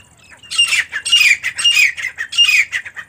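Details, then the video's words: Female partridge, known locally as teetar, giving loud, grating squawks in quick succession, about five rough bursts within three seconds, each harsh and noisy with a brief clearer note inside; little else audible. "teetar ki awaaz & teetar female sound"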